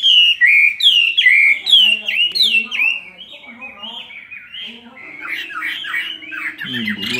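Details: Chinese hwamei in a cage for two years, singing a fighting song while fanning: loud, rich whistled notes sliding up and down in quick succession, fading to softer warbling phrases, then swelling again at the close.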